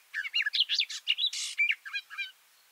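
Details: Garden warbler, recorded close beneath a bush, delivering a brisk two-second burst of chattering, gurgling warbled notes, one harsher buzzy element near the middle.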